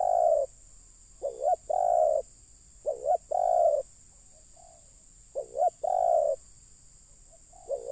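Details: Spotted dove cooing during bird luring, as wild birds come down: low, soft mellow coos, a quick short note or two followed by a longer drawn-out coo, the phrase repeated about every two seconds with quiet gaps between.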